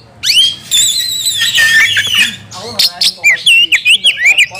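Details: Oriental magpie-robin, heated and agitated, singing hard while seeking a rival to fight: loud, rich whistled phrases with harmonics, then rapid sharp chattering notes toward the end, over a low background hum.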